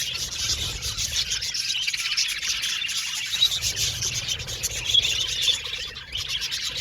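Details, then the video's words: Budgies in an aviary colony giving a steady wash of high twittering and chirping, many birds calling at once, with faint low rumble underneath. "Beautiful Budgies Chirping Sound | Happy Budgies Natural Sounds"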